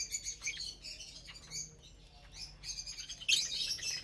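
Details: Lovebirds feeding together in the morning on sweet corn, greens and millet; repeated short high chirps, roughly three per second, ending in a louder burst of chatter.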